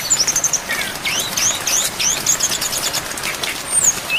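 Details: Mimicry-filled song of a brown-chested jungle flycatcher used to train songbirds, rain in the background. A quick run of high piping notes, then a dense stretch of sweeping chirps and trills, ending in thin whistled slurs.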